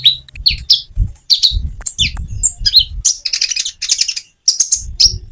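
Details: Common iora singing with natural pauses, meant to encourage quiet birds to sing back. High, varied chirps and squeaky slurred notes come in dense bursts, with faint low thumps beneath and one short silence near the end.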